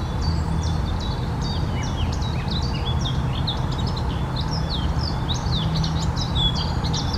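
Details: Eurasian blackcap (Sylvia atricapilla) song heard through heavy low-frequency rumble: continuous rapid high warbling of short slurred notes and flicks, other birds faintly mixed in.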